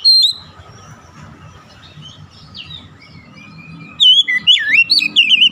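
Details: Oriental magpie-robin song meant to trigger other magpie-robins to sing: after quiet faint notes, a short loud burst of twisting whistled slurs and chips closes the recording, with low background rumble.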